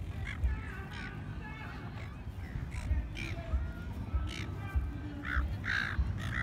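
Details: Silver gulls at Lake Burley Griffin, Canberra, Australia, give harsh, grating squawks, several in quick irregular succession, over a steady low rumble of wind or traffic.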